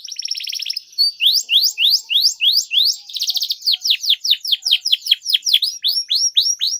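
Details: Long canary song played as a lure for young canaries learning to sing: a buzzy trill, then rhythmic rising sweeps, a rolling trill, and a long run of falling high notes.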